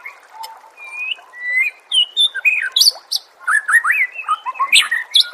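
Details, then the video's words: Oriental magpie-robin song played as a training recording for songbirds: varied whistled phrases, some rising and some slurred, then a dense run of quick, rising and falling, chattering notes mixed with high sharp chips. "Masteran murai"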